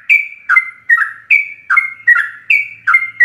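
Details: Rapid ropelan song of a yellow-vented bulbul, full of varied notes, for tutoring caged birds: paired bubbly notes, a high clear one falling into a lower gurgle, repeated roughly every half second.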